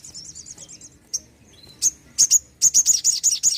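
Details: Lively crimson sunbird song meant to prompt silent or young birds. It opens with a soft fast trill, then sharp, very high chips grow louder into a run of ringing repeated notes.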